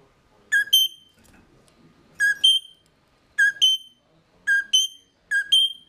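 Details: Caged mulga parrots recorded with a GoPro Hero 3+ placed inside their cage, 18 November 2014 at 09:28; clear two-note whistled phrase, a lower note then a higher one, repeated five times about once a second over quiet background.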